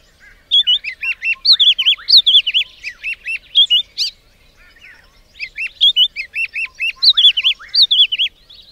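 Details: White-browed scrub robin singing: two loud phrases of sweet, rapidly varied whistled notes, some sharply up-and-down slurred, each phrase lasting around three seconds with a short pause between, in otherwise quiet surroundings.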